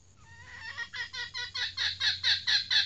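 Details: Captive female red junglefowl used as a decoy: a cackling series starting soft and rising in loudness, quick repeated notes with a falling tone, about three per second.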